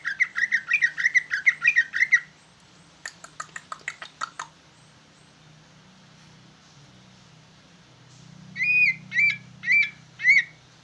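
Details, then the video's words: Big green leafbird in full bulbul-style song: fast buzzy chatter for two seconds, a pause with scattered clicks, then four strong whistled notes rising and falling at a steady pace over a low background hum. "Ci ijo jumbo rasa trucukan ngoceh"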